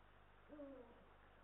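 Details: Single low hoot from Eurasian eagle-owls at their nest in Estonia, a male and a female on a live nest camera, 18 March 2022; brief and slightly falling, fairly soft against steady background noise.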